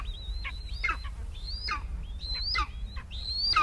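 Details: An eastern imperial eagle in Palestine gives a series of harsh, yelping calls, each a high rasping note with a falling tail, about once a second, over low rumbling wind noise.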